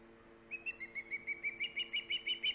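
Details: Osprey calling from the Hog Island nest on 3 September 2019, live camera: a string of about eleven high whistled chips that grow louder and slightly shriller toward the end, steady background hum beneath.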